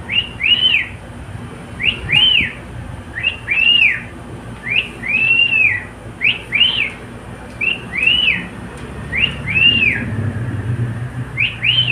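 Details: Whistling pet cockatiel gives a regular string of bright, rounded up-and-down whistles, about one every second, against a constant low rumble.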